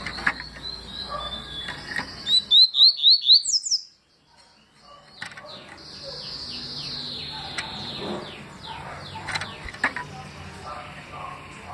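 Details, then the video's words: Yellow-bellied seedeater (papa-capim) giving its tui song in 2020: a quick run of about six bright, rising whistled notes, then silence and a noisy, chattering background with faint distant bird calls. "Papa capim tui detonado em 2020"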